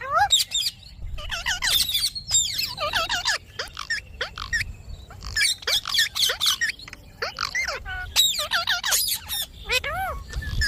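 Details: Indian ringneck parakeet kept as a talking pet, producing rapid runs of shrill, high arched squawks, many short notes crowded together in bursts with quick gaps between them.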